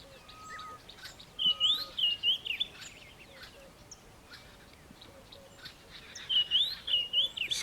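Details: A White-browed (red-backed) Scrub Robin calls in bush near Kilifi early on a sunrise morning: two bursts of high, sweet, warbled phrases about five seconds apart, with faint chirps of other birds in the background.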